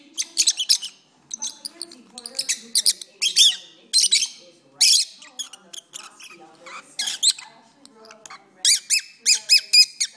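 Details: Lovebirds singing for a long stretch: dense sharp chirps and squeaks in irregular runs, ending with a regular series of clear high chirps, faint low sounds beneath.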